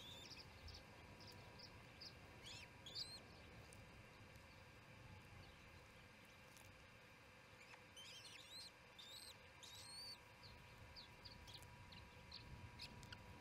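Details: At the Charlo osprey nest during evening feeding, 7pm MDT, June 18, 2018, scattered thin high chirps come throughout, with a busier burst of rapid, upslurred chirps in the middle, over faint steady hum.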